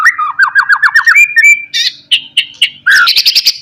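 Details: White-rumped shama song used to lure and provoke rivals: a rapid series of rich warbled notes rising in pitch, then varied chirps and a fast burst of sharp high notes.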